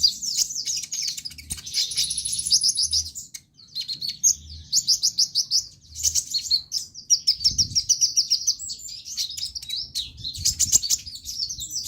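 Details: Konin sunbird song meant to spark singing in other birds. Bursts of shrill, buzzy high twittering are separated by short gaps, with sharp clicks and chips scattered between phrases.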